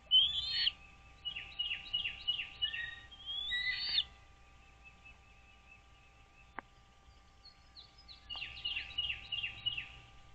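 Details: Pair of wild American bald eagles at a nest camera on Dale Hollow Lake reservoir, Kentucky-Tennessee border, 09.04.2023, 08:29: high whistles and quick series of falling, squeaky chitters, a pause with a click, then another chittering run.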